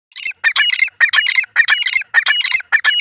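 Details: Grey francolin in the jungle calling: loud, harsh, clipped notes grouped in repeated rhythmic phrases about every half second, clean with no background noise.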